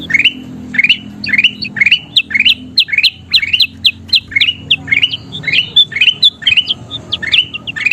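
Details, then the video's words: Energetic song of a kutilang emas bulbul, used as a master recording for training songbirds: rapid rising chirped notes repeated several times a second, with bright whistled tops and a faint low hum beneath. "SUARA KUTILANG EMAS GACOR PALING DICARI"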